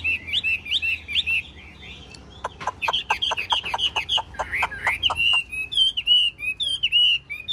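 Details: Golden-billed caged Chinese hwamei in full song; wavering whistled phrases over a burst of rapid sharp clicking ticks, followed by clear looping high whistles repeated in quick succession.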